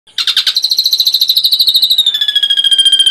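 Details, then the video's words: Ashy drongo song, used as a complete tutor recording for songbirds: a loud, rapid pulsed trill of about twelve notes per second, high and buzzy, easing slightly downward into a thin, steady whistle at the end. "Masteran srigunting abu abu isian lengkap"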